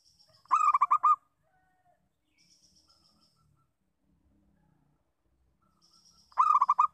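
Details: Local zebra dove uttering its lure call. Two short bursts of quick, resonant cooing notes sit at either end, with a long quiet gap between them broken only by a faint high whistle.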